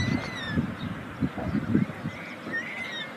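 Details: White stork at a chimney nest in Ságvár, Hungary, amid meadows and wetlands, day 36 of the 2024 season: low, rough grunting bursts repeated about every half second, with faint high whistles of small birds in the background.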